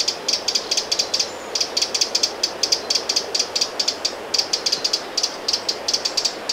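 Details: Eurasian wren giving alarm calls beside Lake Vänern, Sweden, in late July 2017: dry, hard ticking notes in quick uneven bursts, with a brief pause after the first second, over a steady soft background hiss.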